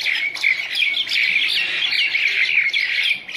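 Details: A group of wild common mynas (Acridotheres tristis) fighting, with a steady jumble of harsh, chattering squawks and squeaky notes as several birds call over one another without pause.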